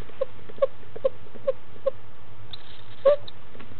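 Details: Newly hatched female barred owlet in Florida, about four hours old, eating her second meal on 19 February 2015 around 10am; short soft peeps repeat roughly every half second, then a brief high squeak and a doubled peep, over a low hum.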